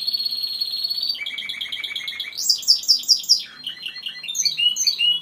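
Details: Timbrado canary song: a sustained high rolled trill, a lower pulsed roll, a rising burst of sharp chattering notes, then varied quick rolling tours.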